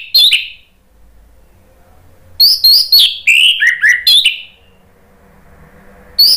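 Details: Song of an Orange-headed thrush, played as a lure and as therapy for a bird that has stopped singing. One sharp note is followed by a fast run of varied whistles and chips, then silence and a final note.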